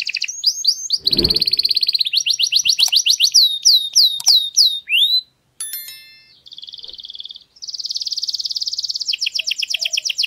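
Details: Training song for young canaries: high buzzy rolling trills, a series of sliding whistled notes, one brief dull thump early on, short gaps, then fast rolling trills resume.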